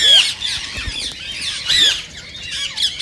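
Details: Rose-ringed parakeet, green Indian type, sounding calls said to excite others to mate: a clear rising-then-falling shrill whistle opens, followed by softer raspy squawks and another bright screech midway.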